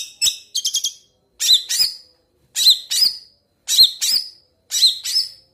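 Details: Long-tailed shrike song: brief clipped notes, then paired harsh upslurred phrases repeated roughly once a second.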